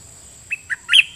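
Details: Red-whiskered bulbul used as a decoy singing toward wild birds: two short whistled notes, then a longer warbling slur ending in a bright chirp.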